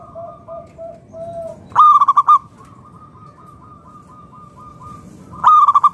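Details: Loud song of a local zebra dove used as a lure to set other perkutut singing: two bursts of fast, staccato, ringing coo notes. Gentle drawn-out cooing from other doves fills the gaps.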